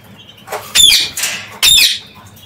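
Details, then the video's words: Escaped parakeets enjoying a free afternoon outside their cage give two loud, rasping screeches less than a second apart, with a softer call just before the first. "Parrocchetti | Liberi nella voliera"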